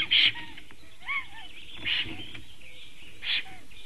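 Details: Singing Black stork at its nest, 9:22 AM, 6 May 2019: short raspy bursts and soft curved whistles repeated at irregular intervals, with low background rumble.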